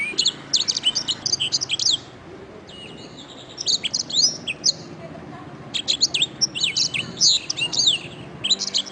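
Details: Canary singing on a recording meant to tutor other songbirds: three bursts of fast, high, crackling chirps and trills, with brief quieter gaps and a thin whistled note between bursts.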